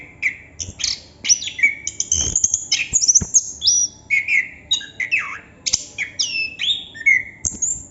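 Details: Long, non-stop rolling ngerol song of a Chestnut-capped thrush: quick whistles swooping down and up, scratchy high notes and chattering bursts, repeated in tight clusters throughout.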